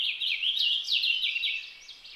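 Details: Purple finch singing a fast, rich warble of slurred notes sliding up and down, running continuously for about two seconds and fading slightly at the end.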